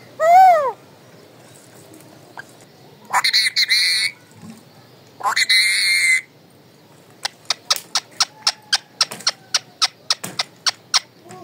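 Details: Talking pet parrot calling indoors: one arching whistled note, then two harsh, noisy squawks, followed by a rapid run of sharp clicking sounds.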